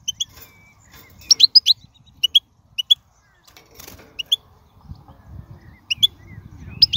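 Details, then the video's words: Wild goldfinch giving high tinkling twitters, a tight cluster midway then spaced single chirps, while a low rumbling noise builds in the second half. "من أقوى اغاني | طائر الحسون | البرية"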